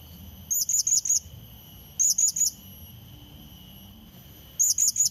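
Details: Blue-crowned hanging parrot lure call used to draw in and challenge a rival: three bursts of thin, very high, sharply rising notes, three or four per burst, over a steady high hum.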